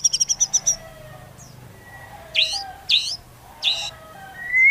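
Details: White-rumped shama song used to provoke other shamas: a quick high trill, then three separate harsh, chattering notes spaced about half a second apart, ending in a rising whistle.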